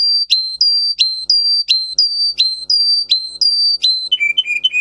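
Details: Russian singer canary, a breed developed in Russia for its song, repeating bright whistled notes that drop at the end, about one and a half per second, before switching to a faster, lower warbled run.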